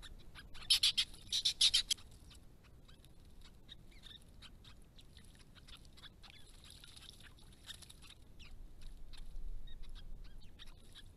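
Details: White-browed babblers, a group of up to seven at a pond in a protected Australian curlew area with native grasses, restless and noisy: a harsh burst of scratchy chattering early on, then scattered faint ticking notes over quiet background.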